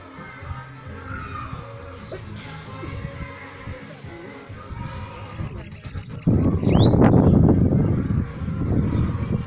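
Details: A bananaquit gives a brief high, wheezy trill of quick repeated notes ending in a downward swoop, followed by loud low-pitched noise that fills the rest of the recording.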